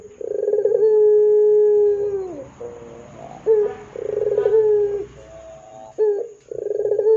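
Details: Ringneck dove gacor coo used as a lure to get other doves calling: three loud low coos, each opening with a buzzy trill and holding a long steady tone, the first ending in a falling slur, with short stuttering notes between.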